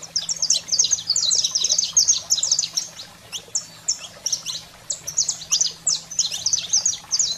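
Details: Heated 'fogo selvagem' singing of a saffron finch, meant to fire up caged canaries: dense, excited runs of piercing high chirps and slurred notes, almost continuous with brief gaps, over a soft constant low hum.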